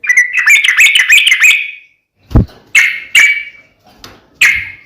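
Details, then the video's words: A yellow-vented bulbul delivers a rapid burst of bright chattering chirps, then falls quiet briefly before a dull thump and a few separate sharp, ringing notes. "KICAU SUARA trucukan gacor TARUNG"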